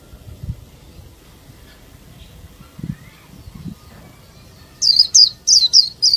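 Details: A female Oriental white-eye used as a lure to trigger singing bursts into high, thin twittering phrases, about five quick repeats in under two seconds, after faint low background rumble.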